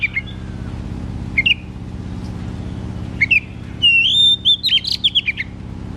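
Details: White-rumped shama singing loudly as a lure for a reluctant singer: scattered short whistled notes with pauses, ending in a bright, fast series of high ringing whistles and trills, over a low mechanical hum.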